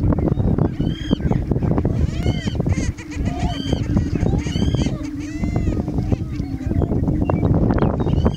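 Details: Several Greater Prairie-Chickens displaying (dancing) on the morning of 4-11-16: steady, low, hollow booming beneath a chorus of sharp, rising whoops and cackles, with a constant rumble of wind.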